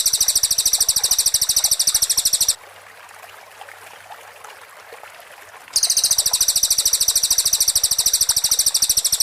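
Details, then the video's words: Clear cililin master in the rapid 'tembakan rapat' shooting style for training white-rumped shamas: a fast, high trill fades out after two and a half seconds, silence follows for three, then another long even trill. "MASTERAN CILILIN JERNIH 4 MURAI BATU 📍KHAS SUARA TEMBAKAN RAPAT"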